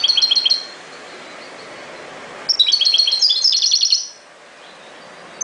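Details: European goldfinch in the ghoroub song style: a short tinkling phrase, a pause, then a longer run of quick chiming notes that descends at the end, followed by quiet and a single closing note.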